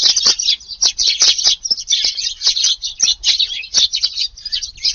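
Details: A flock of Eurasian tree sparrows visiting a garden for early-morning feeding around 5:30 on 2 August, in rainy weather. Dense, overlapping bright chirps run throughout without pause, from many birds calling at once.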